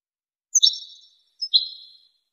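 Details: European goldfinch tutoring song: two ringing, harmonically rich notes about a second apart, each starting sharply and trailing away slowly.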